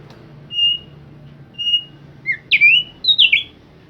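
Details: Thick-billed white-eye singing persistently: two thin, level whistled notes about a second apart, then a quick run of higher, swooping and buzzy phrases, with a low hum underneath.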